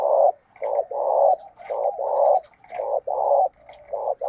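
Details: Spotted dove used as a decoy, cooing to provoke fights in the wild dove's style. Loud rough coos come in a dense run, about one per second, with scattered high chirps of other birds in the background.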